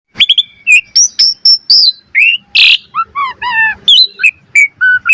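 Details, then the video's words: Asian pied starling master song, used as a lure to get starlings singing vigorously with varied fills: a dense run of short whistles and slurred notes, a harsh rasp midway, then downslurred whistled phrases about twice a second, with no other sounds. "Pancingan Burung Jalak Suren Gacor Mompa Variasi - Suara Masteran Jalak Agar Gacor Full Isian Mewah"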